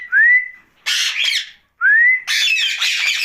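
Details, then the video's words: At night, a rose-ringed parakeet gives a clear upward-swooping whistle, then a burst of noisy chatter. The whistle-then-chatter pattern repeats once. "Night Talking parrot Mitthu Ringneck"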